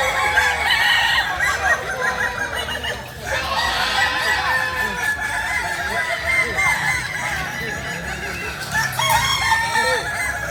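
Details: A crowd of Kukuak Balenggek chickens from Solok, West Sumatra, crows continuously. Drawn-out crows overlap and bend up and down, with a brief lull near the third second before the chorus swells again.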